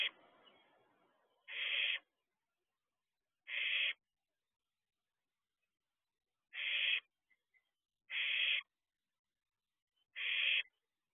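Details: Young barn owl in a nest box before dawn, 2 June 2023, peering outside. Five rasping hissed screeches, each roughly half a second, spaced unevenly about two seconds apart, with faint scratching beforehand.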